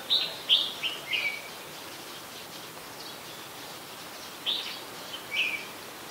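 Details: Ubon Ratchathani, Thailand, 3 January 2021: an adult red-whiskered bulbul gives a quick cluster of bright, slurred chirps, pauses for about three seconds, then adds two more short chirpy phrases over a low hiss.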